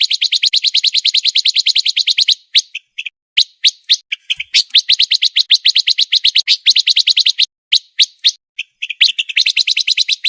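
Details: Pancawarna master song for training contest birds, delivered fast and densely: long trains of rapid, bright chirps repeated many times a second, interrupted by brief pauses and isolated sharp notes, then resuming.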